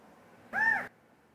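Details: Mating call of a California quail, a single strong slurred note that arches up and down over roughly a third of a second, rich in overtones, against faint background hiss.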